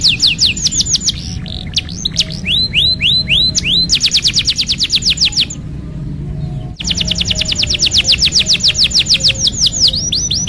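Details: Canary song played as therapy to prompt a stalled bird to sing: rapid, high, sweeping trills in long runs, with a short break midway before the trilling resumes.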